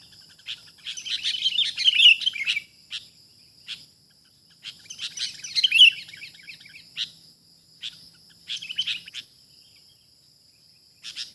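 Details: Wild sooty-headed bulbul being trapped, giving three bursts of busy, scratchy chattering mixed with brighter whistled notes, separated by brief pauses and single sharp chips, over a faint constant high hum.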